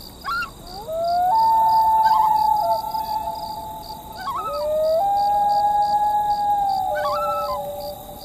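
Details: Loon calling on Emma Lake, Saskatchewan, Canada, in summer: long, sustained, mournful wailing notes that step abruptly up or down in pitch, in two drawn-out phrases, over steady rapid pulsed chirping of insects in the background.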